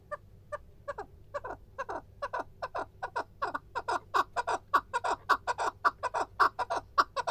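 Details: Male chukar partridge calling: loud, harsh clucking notes repeated in a steady series. The series starts slowly and speeds up to several notes a second over a quiet background.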